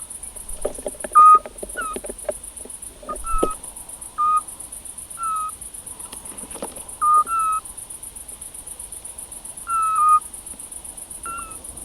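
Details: A pair of Eurasian scops owls in the Cavarzere countryside, Venice province, in spring 2016, calling during mating. Short, pure whistled notes repeat every one to three seconds. Some notes are slightly higher. A steady high insect trill pulses throughout, with scattered knocks.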